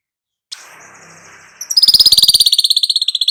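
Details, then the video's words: A golden-headed weaver gives a soft scratchy buzz, then a quick, even, high trill of pulsing notes that grows louder. "suara manyar kepala emas"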